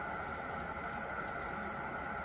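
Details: Willow tit calling at Nightingale Ponds, where a pair has bred before: five clear, high whistled notes, each sliding steeply downward, about three a second, over a steady low hum.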